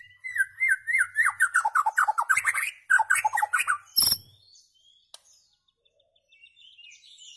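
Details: White-rumped shama song for tutoring goldfinches: a fast series of whistled notes stepping steadily downward, repeated twice, then a sharp high note and near silence with faint distant chirps.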